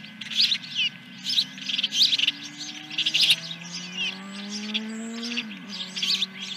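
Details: Ospreys at a Dunrovin Ranch nest, 10 July 2021, morning, first fish delivery: sharp high chirps in quick series, while a droning engine-like tone slowly rises underneath.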